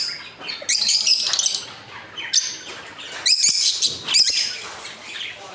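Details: Lovebirds in a caged breeding colony of adult breeders and young; piercing, high squawks come in loud bursts near the start, the middle and the end, separated by quieter stretches of softer chirping.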